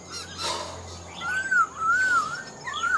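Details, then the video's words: Black-throated laughingthrush, a caged older bird from the wild with a fine voice, singing long, pure, gently arching whistles, three slurred phrases in quick succession after a short noise. "Khướu bạc má mộc dở chim già rừng, hót tốt giọng hay"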